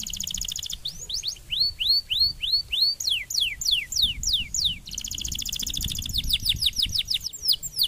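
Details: Stimulating canary song for training fighting-spirit birds: rapid repeated downward-slurred whistles give way to rising curved notes and dense buzzing trills, phrases switching in quick succession with little pause.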